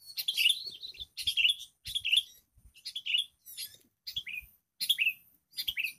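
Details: Sooty-headed bulbul in the wild, confronting a lure bird that struggles to keep up; short, bright chattering phrases, each ending in a downward-slurred note, repeat roughly every 0.7 seconds with brief pauses.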